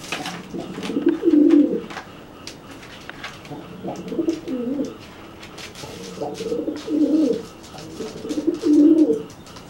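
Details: Threat cooing from a dry pigeon facing a bathed, wet pigeon that cannot fly. Four deep, burbling coo phrases are repeated roughly every two to three seconds, with quiet pauses between.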